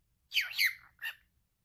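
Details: Male pet cockatiel talking, saying a short two-syllable word: a harsh, raspy, buzzy phrase with gliding pitch, then a brief clipped syllable after a short gap; no other sounds.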